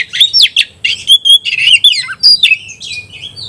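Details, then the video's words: Singing Oriental magpie-robin firing back at a rival bird. Dense bursts of bright whistled phrases mix with chattering, buzzy notes in quick succession. "kacer gacor ngobra KONSLET nembak lawan tarung paling enjoy"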